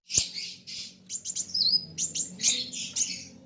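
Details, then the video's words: Softer passage of a kolibri wulung sunbird's rivalry song: scattered high chips and hissy bursts with one clear downslurred whistle, over a low background hum. "BURUNG KOLIBRI WULUNG NARUNG GACORR KETEMU LAWAN SAMA" GACORR..RAMAII"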